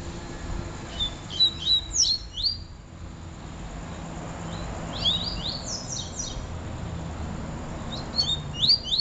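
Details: Double-collared seedeater song: three bursts of quick, high, slurred notes sweeping down, each burst about a second long with quiet gaps between, against a faint steady hiss.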